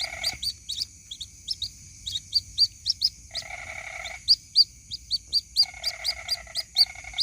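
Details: White-breasted waterhen chick calling to its mother, lure recording: a string of high, sharp peeping notes, steady and rapid, interrupted by several bursts of a lower, buzzy, pulsing rattle.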